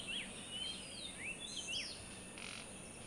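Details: Sulphur-bellied flycatcher calling: a short series of thin, squeaky notes, each sliding sharply up then dropping, about five in three seconds, over a steady background hiss.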